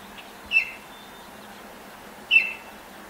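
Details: At 5:40 a.m. on 10 May 2024, a Baltimore oriole greets sunrise from a neighbour's apple tree, hopping and pecking; two crisp high whistled notes, nearly two seconds apart, against a calm morning.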